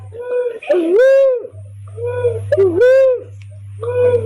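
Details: Barred cuckoo-dove lure recording for bird trapping: mid-pitched two-part whoop, a short low dip then a longer rising-falling note, repeated roughly every 1.7 seconds over a steady low electrical hum with echoing overlap.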